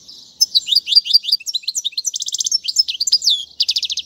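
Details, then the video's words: European goldfinch song for teaching young birds, a brisk four-second run of slurred chirps, rapid mechanical trills and twittering notes. "أفضل تغريد الحسون"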